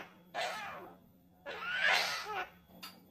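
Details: Javan myna about three years old, a talking bird never trained on this sound, mimicking a human cough it picked up from people coughing nearby: two rough, breathy cough-like bursts, the second longer and harsher, in a quiet indoor room.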